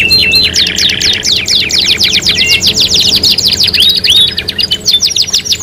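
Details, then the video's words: Canary singing, played as a lure to prompt canaries to sing: a short whistled and rattling start, then a long rapid series of steep sweeping notes, unbroken and dense, over a faint steady hum. "PANCINGAN KENARI 3 IN 1 | CANARY SINGING"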